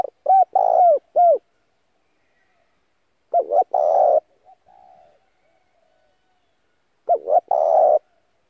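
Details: Spotted dove decoy calling to draw in wild doves: three cooing phrases of soft hollow notes with a long, slightly wavering middle coo, plus a faint low murmur between phrases.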